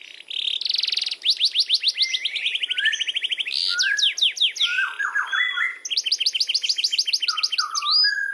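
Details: Long rolling (ngerol) canary song with varied phrases: quick trills of sweeping notes, lower buzzy rolls, tumbling falling notes and a final high rapid trill, loud and continuous.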